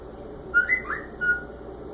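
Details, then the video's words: Senegal parrot imitating phone noises: a short series of clear electronic-sounding whistled tones, one bending upward, followed by a final flat beep. "Senegal Parrot making phone noises"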